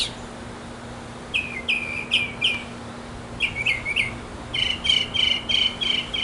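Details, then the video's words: A mockingbird sings in a backyard to attract a female, giving short burry chirps in groups of three to five, with brief pauses between groups and a steady faint hum behind. "Mocking Bird 200 Sounds to Get the Girl!"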